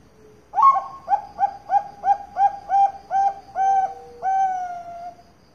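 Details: A captive perkutut bangkok, the zebra dove, bred at a bird farm in Kroya, Cilacap, Central Java, sings a soft rhythmic series of eight quick coos after a brighter first note, ending on two drawn-out notes in a quiet setting.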